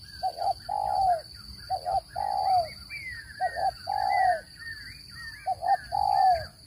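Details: Four phrases of spotted dove cooing, recorded for luring birds into traps: each a brief double coo then a longer falling coo, while other birds give high whistled and chattering calls and a steady whine runs throughout.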